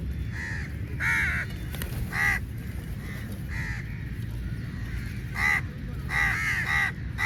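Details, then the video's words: Many crows fighting over meat while being fed, giving harsh, nasal caws in short bursts, some loud and close, others fainter, with overlapping callers and steady low background rumble. "Crow Birds Fight For Meat | Large Number Of Crows Naturally Awaz"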